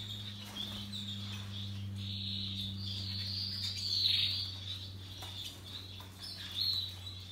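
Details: Russian yellow and Timbrado canaries singing happily: a long high warbling trill that swells and fades, with a brief louder flourish near the end, above a persistent low droning hum.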